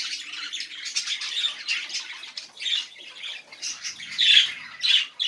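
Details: Chattering budgerigars, recorded to get silent budgies singing; broken runs of scratchy warbles and squawks, with sharper louder notes near the end.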